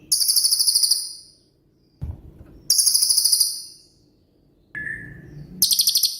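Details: Cililin singing in its 'tembakan' style, used as master song for songbirds like the murai batu: three loud, high, rapid rattling bursts, with a low background rumble and a short falling whistle between them.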